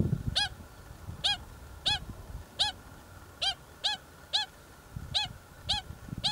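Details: Pied stilts from a colony with chicks, nesting in an earthworks site on the Waikato Expressway, Hamilton section, New Zealand, give sharp, nasal yapping notes with a slight upward hook every half second to a second, over a low rumble of wind.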